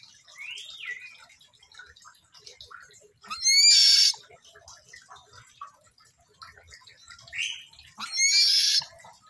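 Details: Buffy fish owl in the morning: two loud, harsh, rasping screeches with stacked harmonics, each about a second long and spaced roughly five seconds apart, each preceded by a short rising whistled note, over quiet background chatter.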